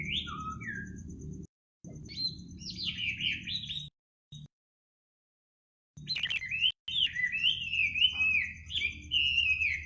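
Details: Bird singing in the middle of the night: bright warbled phrases and whistles, broken by abrupt silent gaps, with a steady high pulsing hum and low rumble beneath.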